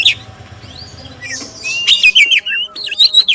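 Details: Oriental magpie-robin of the black-breasted form gives a clear lure song to stir other magpie-robins into singing. Quiet at first, it builds into rapid, loud whistled notes that rise and dip, with chattery chips between them.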